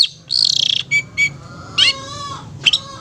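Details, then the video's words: Long-tailed shrike ngetet song, a therapy lure for stressed or silent shrikes: a harsh buzzy trill, two short squawks, then a falling whistled slur and a final sharp note, with low hum beneath. "Terapi Suara Cendet NGETET untuk pancingan Cendet STRESS dan BISU"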